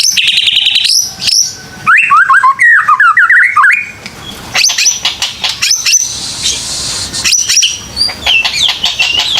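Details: Lure song of white-rumped shama for a young bird just past juvenile spotting: dense trilled and slurred whistles early, then a sparse series of sharp high chips and short notes, recorded with faint background hiss.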